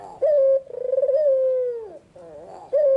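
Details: Afternoon song of a white Barbary dove with red eyes: one short flat coo, then a long purring, pulsed coo that smooths out and falls away, followed by soft murmurs before the next short coo begins.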